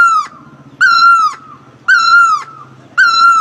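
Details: Great Asian barbet singing: loud, nasal, drawn-out notes that hold level and then dip at the end, four in about three seconds, one roughly every second over a faint low background hum.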